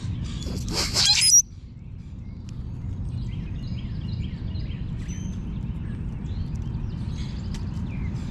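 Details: A puffed-up common grackle eating seed gives one harsh, squeaky high-pitched shriek lasting about a second, then faint chirps of distant birds continue over a low, steady rumble.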